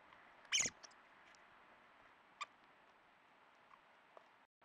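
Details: At night, a thrush just caught by a breeding eagle-owl gives a sharp, high squeal of distress before dying in its talons, then only a few faint clicks over a steady quiet hiss.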